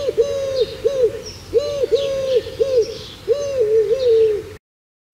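Eurasian collared dove cooing: soft, hollow, low-pitched notes in repeated phrases, the middle note stressed and longer, every second or so.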